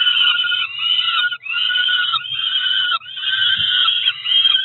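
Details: At breakfast time, a pair of four-week-old Peregrine falcon nestlings in Cromer, watched by nest camera, keep up a continuous grating wail, each long harsh note running about a second before the next.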